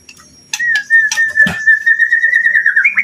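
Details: White-rumped shama giving one long, steady whistled note held for over two seconds and rising slightly at the end, with a few clicks near the start.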